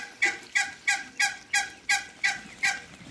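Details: Farm Muscovy ducks: a rapid, regular string of hoarse, rasping nasal notes, roughly three per second, each sharp-edged and fading, with steady hiss behind.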